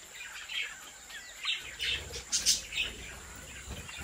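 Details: Australian budgerigars from a private breeding flock trade quick, scratchy chirps and short warbles, rising to a burst of several notes in the middle before fading.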